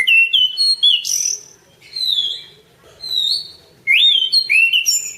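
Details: Orange-banded thrush singing for masteran: loud, sweet whistled phrases with upward and downward slides, several longer steady whistles between brief silences, and a burst of varied warbling at the end.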